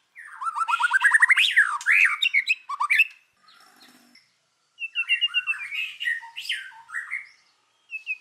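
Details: White-rumped shama singing in forest-voice style with the kéo thuốc lào pattern, used to rouse other birds: a fast rising run of clipped notes, a slurred high phrase, a quiet pause, then another burst of varied chirping notes.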